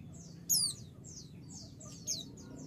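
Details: Female white-eye calling to a male to make him respond, giving two bright, high descending whistled notes with soft, high chittering notes between them against a low hum.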